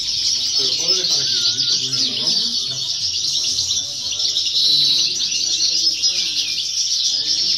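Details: A first-year European goldfinch sings in a 2018–2019 contest, pouring out dense, high, chattering twitters and short buzzy trills over quiet background talk.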